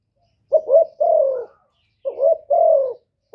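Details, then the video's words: Spotted dove calling to provoke males. Two clear phrases in near silence: a brief wavering double coo runs straight into a longer smooth coo, followed by a pause before the next. "TIẾNG CHIM CU GÁY KÍCH TRỐNG RẤT HIỆU QUẢ, GÁY GỌI THÚC KÈM CỰC CHUẨN, CU ĐẤT GÁY, CU CƯỜM GÙ"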